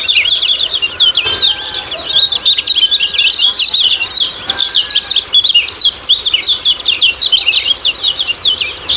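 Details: Lemon-bellied white-eye (kecial kuning) giving a long, unbroken ciak-ciak chatter as a training lure for pet birds: rapid, tumbling high-pitched chirps and zips packed densely together.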